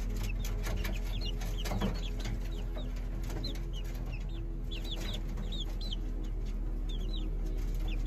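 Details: Peeping of Serama chicks, with short, high, rising notes scattered through the recording, some in quick pairs, heard above a constant strong low droning hum.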